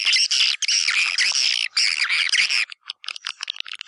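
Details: Swiftlet-house lure recording of white-nest swiftlets from East Kalimantan, Indonesia: loud harsh chattering buzzes in long continuous runs, broken by a short pause, then fading into quicker, scattered clicking chirps near the end.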